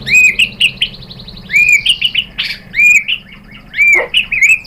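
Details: White-rumped Shama singing a lure song to provoke other shamas, bright high whistled phrases repeated in quick short bursts with sharp chirps, over a faint low hum.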